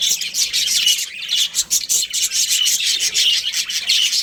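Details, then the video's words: Budgerigars, a breeding pair, chirping in a dense, continuous stream of high scratchy warbles and short squawks with no pauses. "Love Birds Breeding Pair | Budgies Chirping Sounds"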